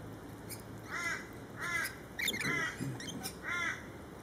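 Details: Rasping, harsh lorikeet screeches from birds in a feeding frenzy, coming in steady bursts, with overlapping shrill notes midway and a steady background hum.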